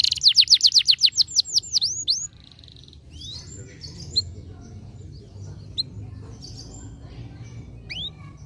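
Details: Canary singing, played to stimulate a lazy canary. A loud rapid run of descending slurred notes lasts about two seconds, then a brief buzzy note, followed by scattered faint chirps and single rising whistles over low background hum.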